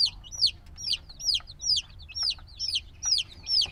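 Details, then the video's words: A black chick hatched a few days earlier peeps loudly and evenly, high whistled notes dropping in pitch, about eight in under four seconds, against a quiet background. "Baby Chicken Sounds - Baby Chicken Chirping Noises"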